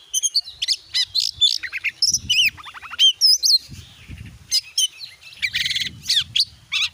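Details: White-rumped shama singing, recorded as a lure to set a caged bird singing: a dense, rich medley of rapid trills, slurred whistles and chattering phrases running almost without pause.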